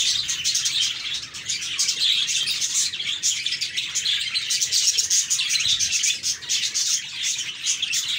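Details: Happy budgies in full chatter: a constant wash of high-pitched chirps, clicks and warbled phrases, pulsing slightly in loudness over eight seconds.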